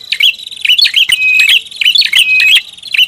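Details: Noisy prinia lure call: a rapid, continuous run of sharp chirps and buzzy trills, a short looping note repeated about every half second throughout.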